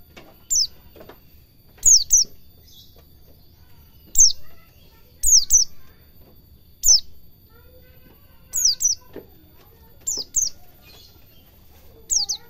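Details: Pleci, a white-eye, in lively ngalas cingjuitan style for cage-bird training: a busy run of high falling notes, many given as quick doublets, around a dozen bursts in twelve seconds.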